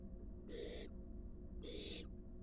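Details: Two drawn-out, noisy hisses from a wild barn owl nest box, recorded as an adult brings a large rat to its fledgling, against a faint low hum.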